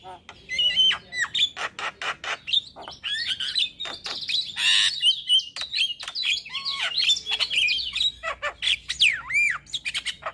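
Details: A male Javan myna sings in the morning, producing continuous rapid clicking and rattling notes interspersed with whistled upslurs and downslurs and a few harsh squawks.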